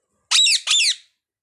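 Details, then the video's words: Two rough, strident parrot squawks, closely spaced, each one dipping downward as it fades; nothing else audible. "parrot birds talking"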